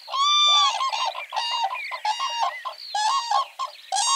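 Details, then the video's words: Wild common cranes in spring, calling as pairs form during courtship dances: rapid, loud, rattling trumpet notes in clustered phrases, repeated with brief gaps, rich in harmonics. "Common CRANE bird dance and sounds"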